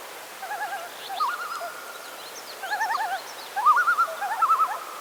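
Common Loons giving quavering, wavering tremolo phrases in overlapping bursts, mid-pitched and slightly rising, with a faint background hiss.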